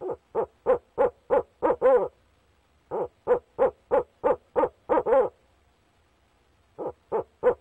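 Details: Three bursts of quick, regular hoots from a male barred owl calling for his mate at the nest box. The first two bursts end in drawn-out, wavering hoots, and a long quiet gap comes before the last short burst.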